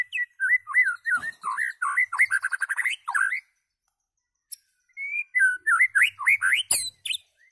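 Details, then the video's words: White-rumped shama song: fast, varied whistled phrases with twists and rapid stuttering notes, a silent gap of about two seconds, then another lively burst of rising and falling whistles. "White Rumped Shama calls and singing"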